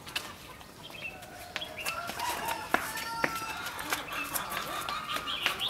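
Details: Red-whiskered bulbul recorded during bird trapping on 21 February 2016, a decoy bird calling to lure wild rivals: short whistled and chirping notes repeated about twice a second among clicks, rustling and faint background noise.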